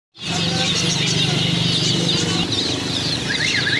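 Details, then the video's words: Many chicks, bought as new chicks, chirping together in a dense, continuous chorus of high, quick peeps, with a steady low mechanical hum underneath. "chicks chirping sounds"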